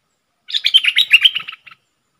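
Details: Bulbul used as a decoy bird, 22 August 2021. It gives a single rapid chattering phrase of about one second, made of bubbly, liquid notes, then two soft trailing notes. Nothing else audible.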